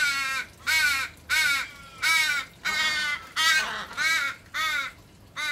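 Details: Adult Australian raven giving about eight harsh, nasal, drawn-out caws, each half a second with a slight downward slur, while nipping and pushing its recently fledged young begging for regurgitated food, to make it feed itself.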